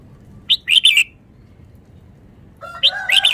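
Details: ,Caged red-whiskered bulbul, described as a Vietnamese bird, singing fast rapid phrases: a short burst of bright, liquid warbled notes, then a second quick phrase over a harsher, banded drawn-out sound.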